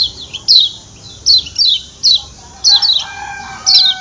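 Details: Lombok white-eye, sharp high ciak calls, each a quick descending chirp, in ones and twos at irregular intervals, with a faint steady tonal note near the end.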